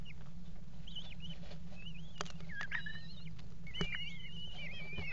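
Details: Eurasian kestrel pair mating on the edge of a nest box at a water tower, 5 February 2018: wavering whining calls in repeated bursts, with sharp knocks and thumps on the box and a steady low hum.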